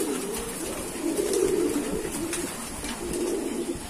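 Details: Domestic pigeons kept by a fancier: deep, throaty rolling coos swelling and fading in two main bursts, low and soft against constant background hiss.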